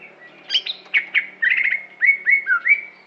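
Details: Aceh-type greater green leafbird, a competition bird, producing quick mixed chips and chatter, then several repeated downslurred whistled notes about every quarter second.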